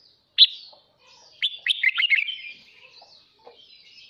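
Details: A pet red-whiskered bulbul sings at dawn to encourage others: a sharp single note, then a dense, chattering run of rising and falling chirps, trailing into softer scattered notes.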